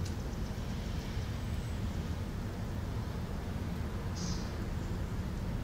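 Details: Steady low rumble of road traffic with a brief faint hiss near the end and no animal calls.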